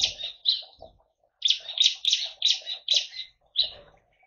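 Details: Captive bar-winged prinia in a mixed colony aviary with white-eyes and finches, East Kalimantan, Indonesia: short, loud, buzzy-chirpy notes fired in a quick series of about seven, paused, then resumed, with soft lower twitters behind.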